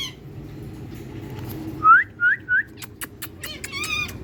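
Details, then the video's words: Tiger Indian parrot enjoying sunlight gives three clear rising whistles in quick succession, then a few sharp clicks and a short harmonic squawk at the end, over faint low hum. "Tiger Indian Parrot Enjoying Sunlight Natural Talking Voice"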